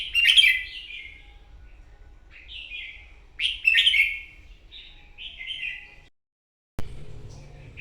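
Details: Wild-caught red-whiskered bulbul in morning competitive song: loud, rich warbled phrases about a second long, each followed by softer whistled notes, recurring roughly every three seconds, then a sudden cut and low hum.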